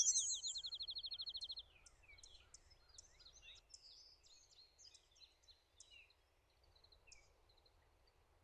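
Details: A male Prairie Warbler sings on territory in Connecticut in May while the female builds a nest: a quick series of about a dozen buzzy, evenly spaced notes, followed by faint chips and twitters from other birds.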